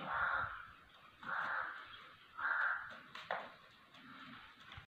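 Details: Three harsh, raspy notes from a black francolin, spaced just over a second apart. A brief sharp click follows, then quieter background.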